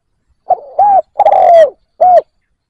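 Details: Spotted dove used as a decoy, calling to attract wild doves; a single four-part cooing phrase, a short clipped note, an arched coo, a longer descending coo and a closing arched coo, clean and quiet behind.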